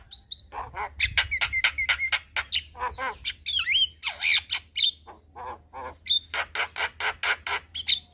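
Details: Javan myna, evening master song for training young birds: rapid harsh squawking bursts, roughly two per second, broken by rising and falling whistles and a twanging note, over a steady low hum.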